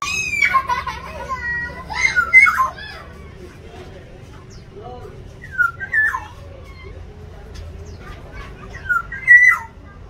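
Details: Black-naped orioles fighting over territory in an aviary: a cluster of fluty whistles and slurred notes at the start, then separate liquid whistled phrases near the middle and end.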